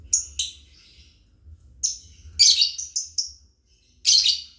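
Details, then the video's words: A family of lovebirds chirping, a master sound for training: rapid loud, harsh high chirps in irregular clusters, some tumbling together, with short pauses between. "MASTER BIRD CHIRPING LOVEBIRDS FAMILY"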